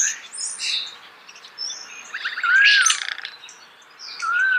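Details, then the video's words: Close, natural starling song in loose phrases: high thin whistles and squeaks, then a clear slurred whistle rising and falling near the middle, and another soft whistle at the end. "The song of the starling"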